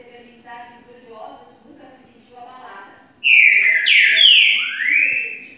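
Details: Green-winged saltator singing the "boiadeiro" song type: a loud, rich whistled phrase of three slurred notes, rising then falling, after a few seconds of soft, muffled background sound.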